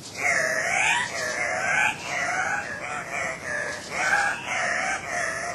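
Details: Two male Andean cock-of-the-rock, subspecies saturata, displaying at a lek at Cock of the Rock Lodge, Manu National Park, Peru, 1 August 2005: loud harsh squawking, nasal wavering notes with rising and falling bends, given in overlapping bursts about every second.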